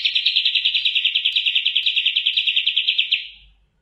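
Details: Oriental white-eye singing a long, unbroken, fast, pulsing high trill lasting about three seconds before fading out.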